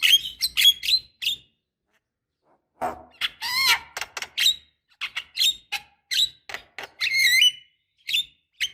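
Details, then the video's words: Javan myna female calling a male, used as a lure for caged birds: bursts of harsh chattering notes and sharp whistles with buzzy, nasal tones, a two-second pause, then a fast run of squeaky, rising whistles and clipped chirps. "suara pancingan jalak kebo"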